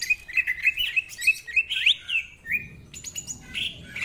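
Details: Song of the greater green leafbird: a steady string of short whistled notes with quick upward flicks, roughly three per second, followed by thinner high chips in the ngentrok full-isian style.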